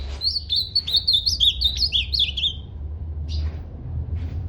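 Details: Ultramarine grosbeak singing a fast run of warbled, slurred whistled notes for about two and a half seconds, then two short separate notes; low background hum throughout.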